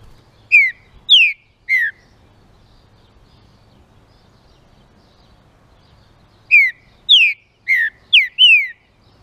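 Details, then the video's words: Green-winged saltator song used to stimulate other saltators: rich, slurred whistles, first a three-note phrase, then after a pause a faster run of five, over a quiet low hum. "ESSE CANTO ESQUENTA TRINCA FERRO"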